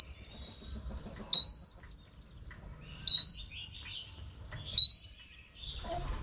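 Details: Female oriental magpie-robin calling to stir up males, giving three pure rising whistles that glide upward and end with a short flick, spaced about 1.7 seconds apart over faint background noise.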